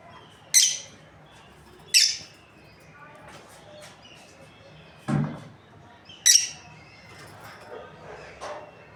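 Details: Breeding pair of lovebirds chirping: a few sharp, very high shrill chirps spaced one to four seconds apart, with a low thud and faint softer calls between.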